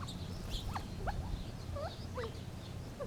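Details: Gambel's quail uttering a handful of soft slurred notes, some rising and some falling, spaced irregularly over a low droning hum.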